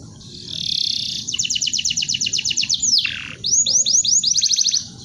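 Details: Canary tutor song for training birds: a buzzy sustained trill, then a rhythmic run of about a dozen quick sharp notes, a descending swoop, and several upward-curving whistled slurs in quick succession.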